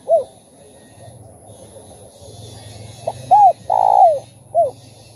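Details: Spotted dove song meant to stimulate other doves: an isolated coo, then a full phrase of a short note, a rounded coo, a long buzzy falling coo and a last coo, over a low steady hum.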